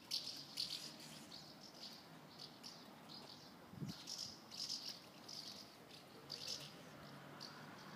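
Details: A group of house martins around a house, with repeated short, high, buzzy chirps and twitters coming in irregular bursts throughout, plus a low thump partway through.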